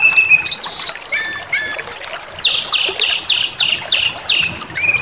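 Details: White-rumped shama song to rouse rivals into rage: varied whistles and slurs, then a fast series of about eight identical buzzy notes, ending on a clear whistle.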